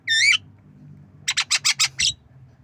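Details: Javan myna learning to cough: one clear rising whistle, then a run of six short, evenly spaced, raspy coughing notes.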